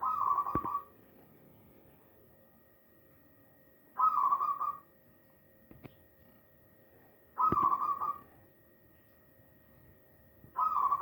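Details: Hand-reared young zebra dove, a single chick, giving short husky cooing bursts about every three and a half seconds over a steady low hum.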